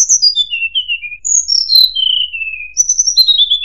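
Sunda robin giving clear, high whistled phrases that slide downward in steps, three descending runs in under four seconds, with no other sounds.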